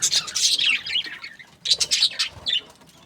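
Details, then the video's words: Budgies chirping in two bursts of bright, buzzy warbled notes and squeaks, separated by a short lull of under a second. "Beautiful budgies chirping sounds"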